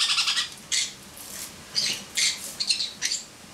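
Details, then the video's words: Pet pineapple conure laughing from a person's head indoors: short scratchy, high squeaks in uneven bursts about twice a second, over a low background hiss. "Laughing Conure"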